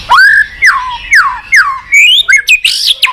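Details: White-rumped shama song used as a lure to make a quiet bird answer and sing. Loud, clear whistles slide down and rise in long slurred phrases, then turn into quick, higher choppy notes.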